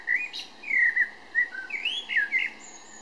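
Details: Eurasian blackbird singing in Berlin-Weißensee, Germany, in June: a loud run of fluted, warbling whistled phrases, rising and falling, ending in a thin high squeaky note, against a quiet background.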